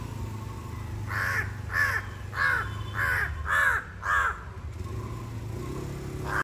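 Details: Crow calling powerfully and incessantly: six loud, harsh caws in a steady run about every 0.6 seconds, each hoarse and slightly descending. A low rumbling hum sits underneath throughout.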